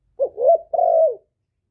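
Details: Decoy male spotted dove cooing to draw in wild birds. A brief low note runs into a mellow rising coo, followed by a longer, steady, gently falling coo.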